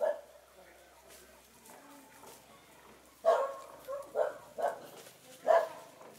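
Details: Hens sunbathing, Spanish white face and Australorp black breeds together; a quiet start with soft calls, then a series of loud, harsh squawking notes roughly every half second to a second.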